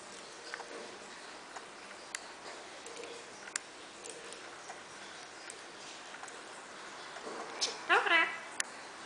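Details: Rose-ringed parakeet, a talking pet, says "dzień dobry" (good morning) in a brief speech-like phrase near the end, after soft clicks, taps and room noise.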